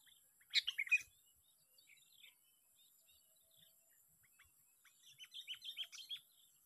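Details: Lure-caught sooty-headed bulbul on its sixth day of fighting gives a quick cluster of bright, warbling notes, then a softer run of chirpy, descending phrases near the end.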